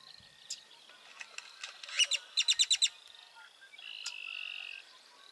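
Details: Great-tailed grackle at Burrows Pond, Sac County, Iowa: scattered chips build into a burst of about seven sharp, rapid clacking notes, followed by a drawn-out, steady high whistle near the end.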